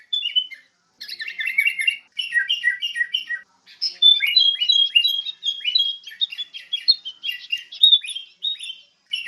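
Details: Sooty-headed bulbul song: bright, fast chirping phrases of clipped notes, often in repeated triplets that dip downward, broken by short pauses, with no background noise.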